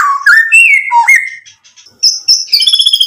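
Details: Excited white-rumped shama song meant to draw a reply: varied rising and falling whistled notes, a short pause, then high thin whistles and a buzzy trilled ending.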